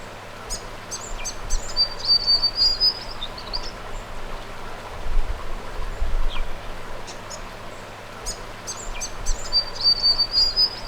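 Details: A Grey Fantail calls in the South Australian bush, hopping between rocks along a small creek flowing into a pool and sometimes sheltering in a bankside shrub; high, thin, squeaky notes ending in a rising whistled phrase, repeated after a pause, over steady flowing water.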